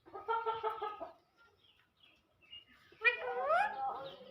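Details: Pet talking parrot imitating speech indoors: a run of quick, evenly buzzing harmonic syllables, a brief pause, then a louder rising and gliding voice-like phrase with faint room noise behind.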